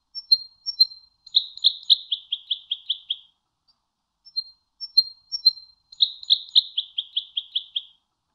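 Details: Goldfinch tutor song used to train birds: a few thin, high whistled notes lead into a descending run of about eight buzzy, rattling notes, the whole phrase given twice.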